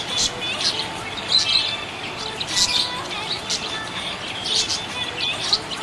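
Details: Budgerigar chirping happily, with quick high twittering notes and short squeaky chirps coming in bursts, some louder peaks, over a continuous background hiss.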